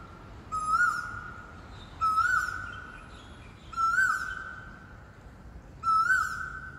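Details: Mystery bird known as black oriole heard around housing blocks: drawn-out, steady, whistle-like howls, each starting with a short rising inflection, given four times at intervals of about one and a half to two seconds, with soft ambient noise.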